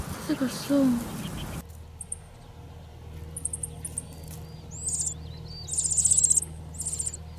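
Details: Meadow bunting nestlings responding to their parent: thin, very high begging chirps in quick bursts, one after mid-clip and a fuller one near the end, following a brief stretch of spoken narration, with a steady low hum beneath.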